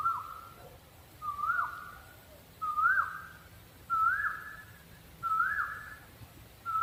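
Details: Owl repeating short whistled hoots about every 1.3 seconds, six in all. Each note starts with a quick upward inflection, then holds level and fades, over a faint low background hum.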